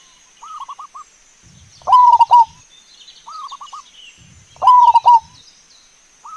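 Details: A wild zebra dove, recorded as a lure for zebra doves, sings soft, rolling cooing phrases near one pitch, a quieter phrase alternating with a louder one every few seconds; faint insect hiss behind.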